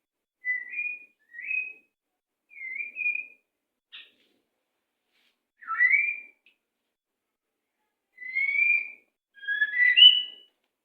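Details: White-rumped shama (murai) song used as master audio for training captive birds: separate clear whistled notes, several rising or wavering, given about every second with short pauses, plus a few sharper sweeps, in quiet surroundings.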